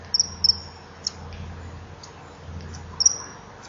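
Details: Male common kingfisher at a nesting-wall camera on a July evening, 20:44, fending off a juvenile begging for fish: a few short, piercing high whistles, paired near the start and single later, over a low steady hum.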